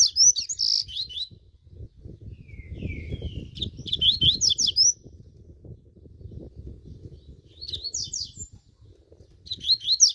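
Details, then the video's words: Caged double-collared seedeater, a fast and strong singer, warming up: short bursts of high, rapidly sweeping whistled notes repeated every few seconds, over a steady low hum. "COLEIRO LE BRON DANDO UM ESQUENTA"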